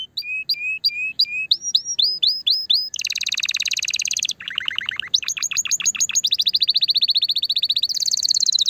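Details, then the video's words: Canary song meant to stimulate a female and encourage mating. It opens with sharp, repeated upslurred whistles, then shifts through a series of fast, dense trills at varying pitches, including a lower rolling tour and ringing high rattles. "Chant de CANARI pour STIMULER la FEMELLE"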